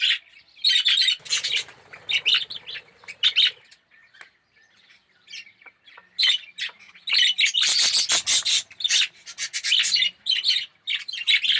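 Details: Colony of Australian red-eyed budgerigars, yellow aviary birds, trading squawks and chirps in loose bursts, a quieter lull midway, then a loud dense outburst of chatter; a faint low hum sits underneath.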